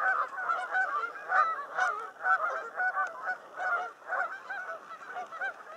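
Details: Canada geese at Cayuga Lake in the mating period honk in a dense, overlapping chorus, nasal two-part calls tumbling over each other about twice a second without pause.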